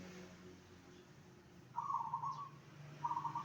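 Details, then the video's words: Zebra dove song used to draw replies from other zebra doves: a quiet start, then one rolling trilled cooing phrase and the beginning of another, over low hum. "perkutut apa saja pasti nyaut dengar suara ini..."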